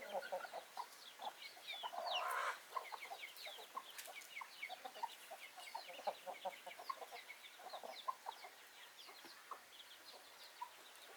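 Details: Backyard chickens cluck steadily in short, soft, rapid pulses throughout. A louder, harsher squawk rises near the two-second mark, with scattered high chirps from other birds in the background.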